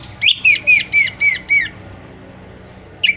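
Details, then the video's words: Orange-headed thrush phrase offered as a stimulus for moulting, non-singing birds: six quick, repeated, down-slurred whistles over a thin high tone, then silence and one final clipped note. "Pancingan Burung Anis Merah Mabung, Macet, dan Kurang Birahi"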